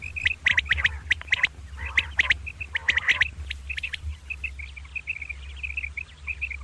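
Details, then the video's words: Batair, or common quail, calling in the morning with the double 'kirk karkar': clusters of harsh, clicking notes for three seconds, then a quieter, evenly spaced string of soft high chirps, over a continuous low hum. "Common Quail Calling Batair Ki Awaz | Suba Batair Lagty Waqte Ki Awaz | Double Batair kirk Karkar"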